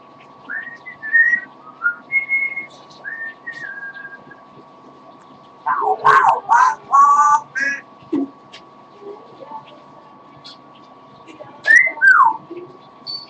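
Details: Pet parrot singing a little while tired: a few short whistled notes, some rising, then a burst of loud harsh harmonic calls, then a quick falling whistle near the end, indoors.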